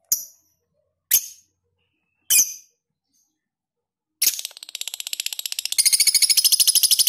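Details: Lovebird ngekek song with long, closely spaced phrases, kept as tutor audio: three separate sharp chirps, then a fast, high chattering trill that builds in loudness and runs on for about three seconds.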